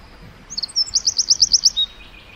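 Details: A wren in the forest gives a brief, very high, even trill of about eight quick pulses, followed by a single thin note.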